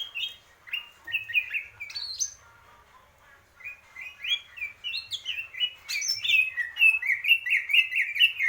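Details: Greater green leafbird, purwo mendem gadong style, singing a long varied phrase of slurred whistles that speeds into a rapid run of repeated chirping notes toward the end.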